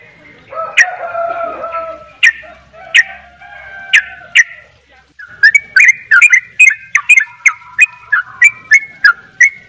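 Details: Sooty-headed bulbul (Pycnonotus aurigaster), song.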